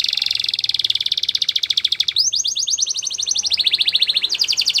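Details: Canary singing a sustained rapid rolling trill, first low and steady for two seconds, then jumping to a higher, clearer pulsed trill that steps down and back up in pitch, continuous without pause.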